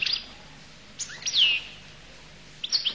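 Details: Goldfinch from Collo giving a few sparse high notes: a brief chirp, then a louder descending slurred twitter near the middle, and a short final chirp, with quiet gaps between.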